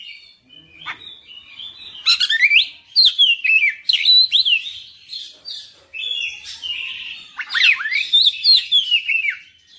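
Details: Oriental magpie-robin singing its full repertoire tirelessly: quiet notes at first, then loud rhythmic bursts of zigzagging whistles and chips, a softer passage, and another bout of rising whistled phrases.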